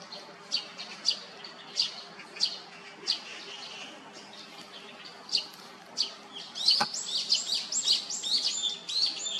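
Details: Great spotted woodpecker parent and fledgling while raising young in Hyochang Park. A sharp, high chirp repeats about every half second, then a denser run of overlapping high chirps follows, with low steady hum underneath.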